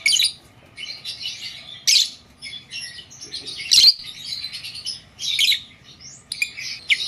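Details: Pet blue Fischer's lovebird chattering indoors: dense, scratchy high chirps and squawky notes tumbling in uneven bursts, some loud sharp peaks, over a low background hum.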